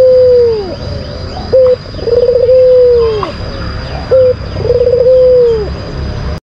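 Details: Lure song of a kept white collared dove, a bird raised in Indonesia for singing contests: repeated long smooth coos with a quick rising note between phrases, about every two seconds, over a steady high electronic whine.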